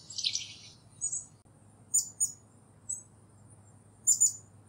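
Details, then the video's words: Black-capped chickadee gives a harsh, buzzy burst, then thin, very high chips, often in pairs, about once a second over a faint low hum. "Black-Capped Chickadee Sounds & Vocalizations"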